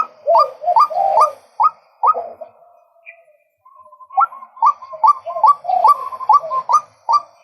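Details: Male White-breasted waterhen: quick rising croaks in a run, a short quiet gap with a faint sustained tone, then the rapid croaking series resumes.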